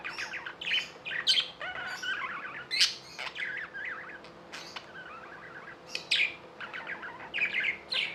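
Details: Tame pet budgerigars in India chattering in short bursts of chirps and sharp clicks, with buzzy squeaky notes in an irregular pattern.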